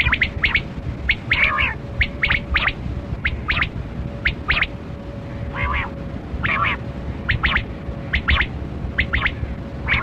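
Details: Kali kirak quail (batera), calling: short sharp double and triple notes repeated steadily through the clip, some slurred rasping phrases between them, over low rumbling background noise and a steady faint hum.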